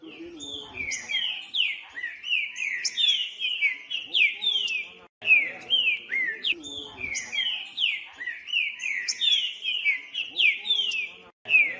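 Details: Green-winged saltator song, loud, rich whistled phrases of downward-slurred notes repeated in quick succession, a pattern that repeats after a short break, with faint rustling below.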